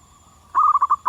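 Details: Wild local zebra dove singing: a brief run of about six quick, soft cooing notes at a steady mid pitch that rises in volume from a quiet start.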